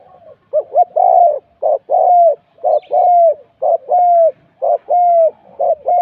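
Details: Spotted dove used in a decoy-luring session: steady series of low cooing phrases, each a short burry note followed by a longer, smooth, slightly falling coo, repeated about once a second with no other sounds.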